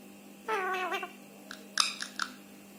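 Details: A rescued pet Indian ringneck (rose-ringed) parakeet talks, giving a half-second, speech-like phrase that slides downward, then a few clipped syllables, over a steady low electrical hum.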